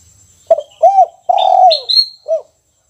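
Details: Caged spotted dove singing briskly in the kuk 1 song style. A single phrase: a short coo, a rounded coo, a long level note, then a brief closing coo, with a high whistle from another bird overlapping.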